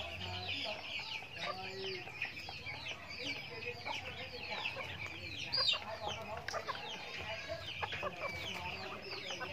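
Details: A flock of chickens on a backyard farm while eating feed: many quick, arched high-pitched chirps repeat constantly and overlap, with a brief louder note near the middle and soft low rumble below.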